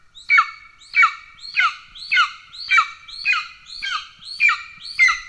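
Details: Golden eagle calling at its nest in Estonia, 17 July 2024, with the father arriving with a pigeon and the chick already fed. Nine loud, shrill, downslurred squeals follow each other steadily, roughly every 0.6 seconds.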